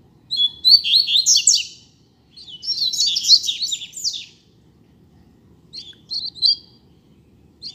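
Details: A pair of rusty-collared seedeaters in the street singing tutor song: two dense bursts of rapid twittering, clipped notes, each about two seconds, then a pause and a few short, sharp phrases.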